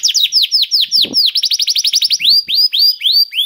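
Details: Canary singing as a prompt for other caged canaries: quick descending whistles, then a fast even burst of about a dozen chirps, then slower loud down-slurred notes, with a soft thump in the background.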